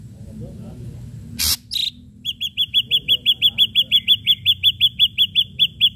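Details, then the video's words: Ashy drongo singing hard with sharp strikes: one loud harsh rasp and a short buzzy note, then a rapid, steady train of high clipped chips, about three per second, over a faint low hum. "srigunting abu abu gacor PANCINGAN PUKULAN TAJAM"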